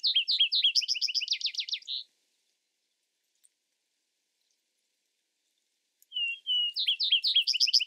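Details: Vesper sparrow singing two bursts of rapid, repeated down-slurred high notes separated by about four seconds of silence. The second burst opens with a short whistle.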